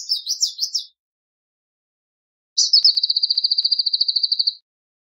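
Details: Male Palestine sunbird with a brief tail of warbling notes, then after a silence a rapid, evenly pulsed high trill held for about two seconds on a steady pitch.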